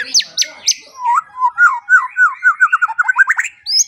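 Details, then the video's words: Song of a white-rumped shama used as morning and evening training material: three high, sharp notes, then a quickening series of looping whistled notes that speed into a rolling trill. "Pancingan dan Masteran Pagi dan Sore Hari Murai Pendiam Langsung Ikut Bongkar Isian | shama bird"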